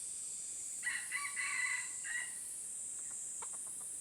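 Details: Red junglefowl from Aceh approaching a decoy bird, giving a harmonic crow of several broken phrases lasting about a second and a half, against a steady high insect drone and a few faint distant chirps.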